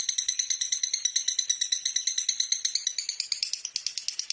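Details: Lovebird song for training other birds as a master recording in Indonesia: a dense, rattling stream of high, harsh chirps, delivered evenly at roughly three per second.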